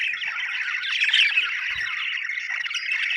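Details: Budgerigars chattering in a continuous, even flock warble of scratchy chirps and slurred notes, fairly uniform throughout with a faint low knock near the middle.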